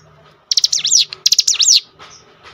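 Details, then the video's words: Cinereous tit singing as a lure to provoke other birds of its kind: two loud bursts of fast, sharply sweeping high notes, each about half a second long, over a faint low hum. "spontan emosi Cigun manapun langsung gacor dengan pancingan ini"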